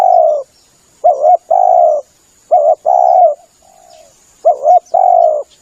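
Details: Spotted dove lure recording: low mellow coos in phrases of a quick doubled note followed by a long, slightly falling drawn-out coo, repeated three times, with faint high chirps and a thin steady hiss behind.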